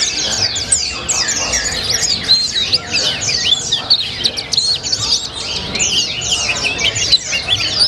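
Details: Caged white-eye kept as a contest bird, in continuous full song with the style called "rasa colibri": a dense, unbroken stream of rapid high twittering and sliding whistled notes, without pauses, over low background noise.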